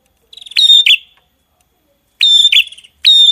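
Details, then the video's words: Songbird from a masteran recording giving a few loud, ringing whistled chirps with strong harmonics, each preceded by a brief rattle, set apart by a silent gap. "Masteran Burung Gacor"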